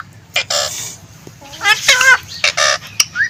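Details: Talking green ring-necked parrot producing short, harsh, voice-like syllables in quick bursts, with one wavering harmonic utterance in the middle and a brief rising whistle at the end.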